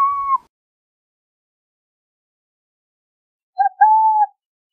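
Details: Burrowing owl: a clipped tone at the start, then after a long silence a short note followed by a longer, level, hollow coo.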